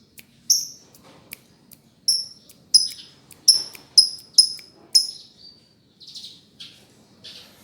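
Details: Lovebird chirping: a series of sharp, high, piercing chirps repeated roughly every half second, then softer, rougher notes toward the end.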